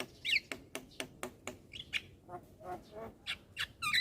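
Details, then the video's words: Non-stop chatter from a young black-winged myna bobbing its head: a row of quick sharp clicks and rasping squawks, then lower nasal notes and a few high whistled chirps toward the end. "Ocehan Jalak Kebo Muda Suara Asli Jalak Kebo Manggut Manggut Ngoceh Tanpa Henti"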